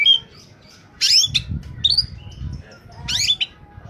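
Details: Oriental magpie-robin in top singing form, used as a lure for trapping birds: harsh buzzy bursts and a few short whistles, with low rumbling background noise.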